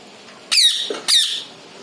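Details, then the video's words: Two shrill, high squawks from a pet parrot, each falling in pitch, half a second apart, indoors. "parrot natural sound"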